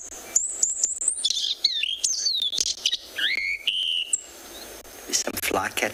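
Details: Drongo at sunrise on 25 January in Tswalu Kalahari Reserve, South Africa, pours out a fast, unbroken stream of whistles, slurred slides and sharp chirps, likely with mimicked noises, sustained almost like circular breathing; a few rough bursts near the end.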